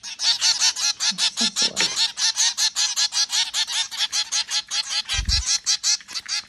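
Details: Zebra finches feeding at home give a steady stream of nasal, toy-trumpet-like beeps, several birds calling over one another.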